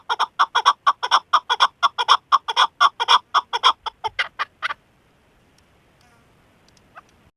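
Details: A female chukar partridge gives a rapid series of harsh, clucking chuk notes, about two per second, for nearly five seconds, then falls quiet apart from faint background sounds.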